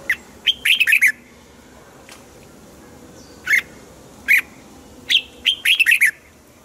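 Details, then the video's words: Caged red-whiskered bulbul song meant to rouse other birds: a fast run of clear warbling notes, then single sharp whistled notes spaced about a second apart, ending in another rapid burst of bright, tumbling phrases. "นกปรอดหัวจุก | เสียงนกกรงหัวจุก ขวัญใจสายเบิ้ลอาชีพ ฟังแล้วคึกเหมือนเดิม นกไม่คึกห้ามฟัง"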